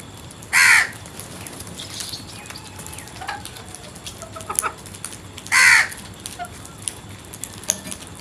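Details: Crow calling: two loud, harsh single caws about five seconds apart, with soft clicks and faint bird chatter between them.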